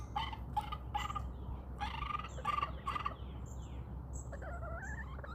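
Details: Backyard chickens roaming outdoors give a series of short, harmonic clucks in bursts over the first three seconds, then a wavering call, with high chirps of wild birds and a steady low rumble behind.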